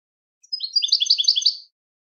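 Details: European goldfinch in a short song phrase of clear, ringing twitters that rise in intensity and rattle quickly before fading out, against a silent background.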